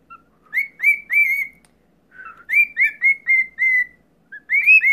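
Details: Male cockatiels serenade their owner, whistling a bright song of rising, slurred notes in quick phrases.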